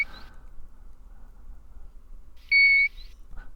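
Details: European golden plover in May in cotton-grass moorland, North York Moors, giving a single clear, level contact call to keep its chicks together, with another bird replying in the distance. Softer notes come before and after, over low rumble.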